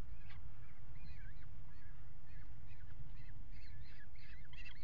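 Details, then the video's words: Peregrine falcons at a water tower nest box during mating on the ledge, February: repeated harsh chattering calls with rising-falling inflections, several per second, over constant low rumbling background noise. "Paring Op Rand"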